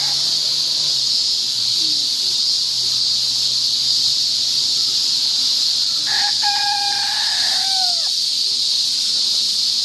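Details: Rooster of unspecified breed crowing on 22 August 2015. A long period of only a dense, shrill cicada chorus is followed by a single harmonic crow lasting about two seconds that sags in pitch at its close.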